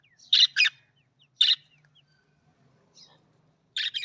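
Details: Australian budgerigar giving sparse, harsh chirps in small groups: a quick double note, a single squawk, a faint call, then another paired burst at the end, with quiet gaps between.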